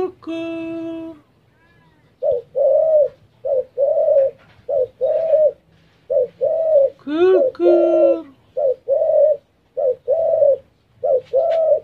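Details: Spotted dove repeating rhythmic short-long coos many times in a row, opened by a harsher, buzzy drawn note; a brief rough, rising sound interrupts midway.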